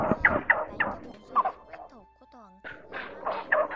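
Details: Blue-bearded bee-eater call used to draw a flock of males and females: harsh, croaking chatter in rapid bursts, about four a second, with a brief gap and a faint whistled glide in the pause.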